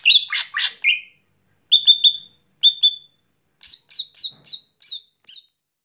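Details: Greater green leafbird (cucak hijau) singing vigorously (gacor) at night: a burst of harsh, chattering notes, then two paired clear whistles, then a run of short, ringing whistled notes, separated by brief silences.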